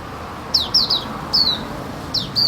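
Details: White-eye on a terrace giving a few high, thin whistled notes, each sliding downward, spaced irregularly over a couple of seconds against a quiet background hum.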